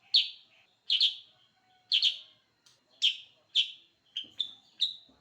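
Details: Sooty-headed bulbul singing very actively: short bright chirps repeated about once a second, with a quicker run of three clipped notes near the end; a faint steady high tone underneath.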